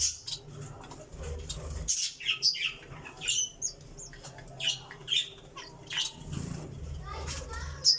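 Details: Java sparrow chirping busily, with quick high tweets and short squeaky notes repeated every half second or so, and a low rumble in the background.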